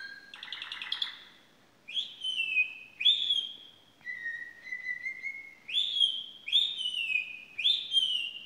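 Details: A pet Belgian canary sings an unusual, bright, varied song: a rapid buzzy rattle, then loud whistled phrases, some sliding down, one long steady tone, repeated about every second.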